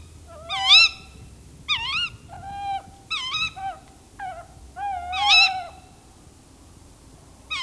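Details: Tawny owls giving alarm calls, an owl in a tree mixed with further owl voices: repeated harsh, bending squeals and shorter flat wails in an uneven series over about seven seconds, some overlapping, with soft background hum.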